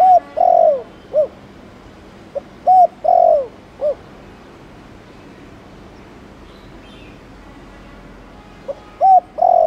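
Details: Spotted dove cooing in the Thổ Đồng style to prompt other doves to call, giving two phrases of soft low hoots, each with a drawn-out falling coo, separated by several seconds of quiet hiss.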